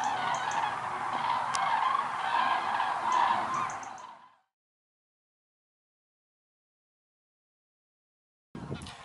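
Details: Massed common cranes at Lac du Der-Chantecoq, Champagne-Ardenne, France, in November 2014 during migration, part of a record gathering above 206,000 birds; a thick chorus of trumpeting calls for about four seconds, then silence, then a brief loud burst.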